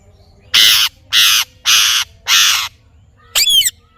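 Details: Parrot giving four loud, raspy, broad screeches at steady intervals of about half a second, followed by one shorter ringing squawk.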